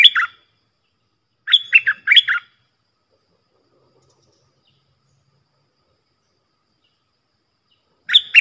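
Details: Bulbul song in the sap dok, bern and rik styles for training young birds. A warbled phrase opens, another full phrase of quick whistles follows, and after a long gap a third begins.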